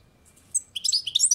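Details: European goldfinch on a balcony: after a quiet start, a brief burst of high, twittering notes with quick tinkling slides in the last second.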